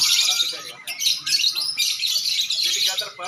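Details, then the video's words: Lovebirds competing in a bird singing contest, giving continuous high, rasping, rapid chatter with brief dips, a crowded chorus of shrill twittering throughout. "Lomba burung love bird"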